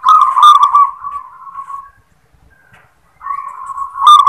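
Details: Zebra dove of local stock singing in the "klar ketek kuk" style. One long rolling, vibrating coo fades out gradually, then after a silent pause a steady purring note rises into a sharper trilled ending.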